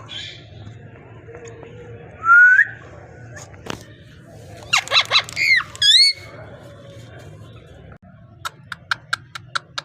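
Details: Parrot in talking mode: a short rising whistle, a sharp click, several broad speech-like bursts and a wavering high call, ending with a string of quick, evenly spaced tapping clicks.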